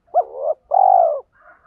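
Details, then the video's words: Spotted dove used as a decoy to attract wild birds. A short hooked coo slides into a held note, then comes a longer, even, low coo. A fainter call follows at the end. "chim cu gáy cườm thúc và gáy gọi. tiếng chim cu gáy kích bổi nhanh nổi"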